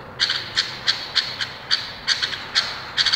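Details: Indonesian bulbul giving short, bright clipped notes in loose bursts of one to three, spaced roughly every third to half second, high-pitched against a faint low background hum.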